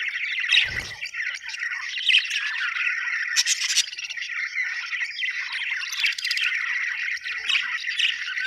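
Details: Australian budgies chirping happily in a lively group chorus of warbling chatter, squeaky tweets and harsher squawks, with a low bump early on and bright sharp notes later.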